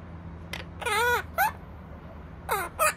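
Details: Opaline monk parakeet kept as a pet: a long, harsh, harmonic squawk that arches up and down, followed by a shorter rising squawk and two quick raspy notes near the end. A low steady hum sits underneath.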